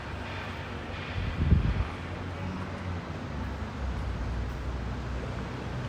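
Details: Wind buffeting and low engine-like rumble outdoors, swelling into a brief louder gust in the second second, with no calls heard.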